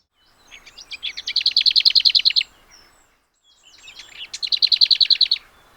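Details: Lesser Whitethroat (Sylvia curruca) song in two phrases. Each starts with a quiet, scratchy, whitethroat-like warble, then ends in a loud, dry rattle of rapid repeated notes on one pitch.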